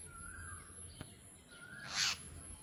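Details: Jungle myna: a soft gliding whistle, a sharp click, another whistle, then a single loud, harsh, rasping squawk over steady hiss.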